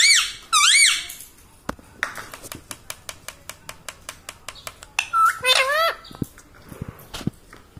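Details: Talking rose-ringed parakeet, a pet indoors, producing warbling human-like speech at the start and again midway, with a run of sharp clicks or taps between the phrases.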